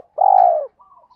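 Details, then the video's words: A single long, smooth, level coo from a spotted dove in kích bổi style, about half a second long. A faint thin whistle follows. "tiếng chim cu gáy kích bổi"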